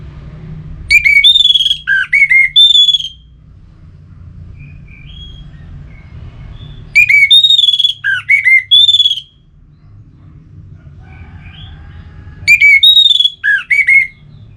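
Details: Orange-headed thrush singing to rouse other birds: three separate bursts of varied whistles, mixing sweet warbled notes and sharp downward slurs, spaced about five seconds apart, with faint soft notes between and steady low hum.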